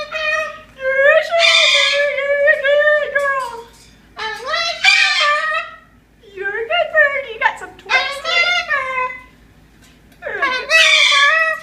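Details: A male pet Moluccan cockatoo (Cacatua moluccensis) indoors sings his mimicked word-like song in a harsh, nasal, voice-like tone, in four rising and falling bursts separated by short pauses.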